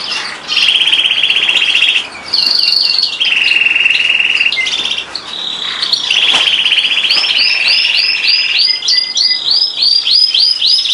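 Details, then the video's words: Frill canary singing a rolling song: long sustained trills held for one to two seconds at a time, shifting pitch between rolls, then quick repeated upslurred chirps at the end, loud and continuous. "Frill canary singing"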